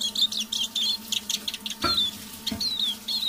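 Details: Evening half-voiced song of a caged Eurasian siskin: busy high chattering twitters, then a drawn-out descending whistle and a clear slurred whistle near the end, with a couple of soft knocks.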